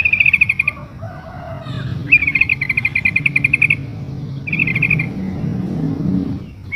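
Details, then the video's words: ['Calling female sooty-headed bulbul in breeding condition, luring a male: a short chirp burst, then a long run of rapid, evenly pulsed chattering notes and a brief final burst, over low rumbling background.'] "suara burung trucuk betina memanggil jantan"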